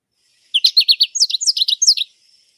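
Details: In spring, an American Goldfinch sings a quick run of high, twittering, slurred notes, about a dozen in under two seconds, bright and canary-like.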